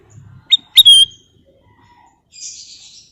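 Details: Golden bulbul song: two short rising chirps followed by a loud, clear whistled note that slides down slightly. A softer hiss follows near the end.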